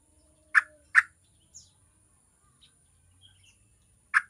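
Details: Yellow-vented bulbul recording meant to prompt other bulbuls to start singing: a pair of quick harsh notes in close succession, a pause with faint ticks, then one more sharp note.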